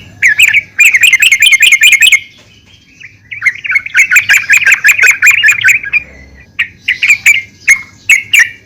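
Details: Calling female yellow-vented bulbul, meant to stir other bulbuls; long fast chattering runs of bright notes, a short pause, then another chattering burst and spaced chirps.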